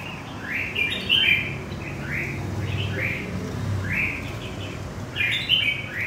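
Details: A freshly trapped red-whiskered bulbul from central Vietnam sings a string of brief, lilting slurred notes, each phrase rising then dropping, spaced about a second apart against a low hum.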